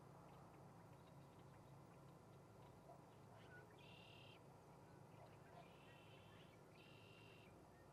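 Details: Osprey calling at its nest in Charlo, Montana, dated 03-08-2019: three short, harsh, whistled chirp bursts spaced a few seconds apart, over a constant low hum and hiss.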